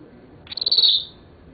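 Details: A 7-year-old male Senegal parrot gives one high, thin call, a quick stutter of clicks running into a shrill whistle, about half a second long, over a quiet room.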